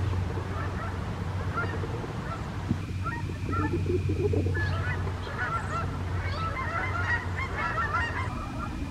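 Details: Wild Canada geese in morning flight in the USA, scattered honks at first, then a livelier burst of repeated honking from several birds in the second half, over a strong low rumble and a faint steady tone.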